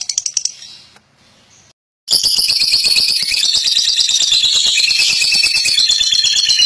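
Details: Fighter lovebird singing a long ngekek song after a brief pause: a dense, shrill, rattling chatter of rapid high notes running unbroken for nearly five seconds; the bird is bathed at night as part of its care.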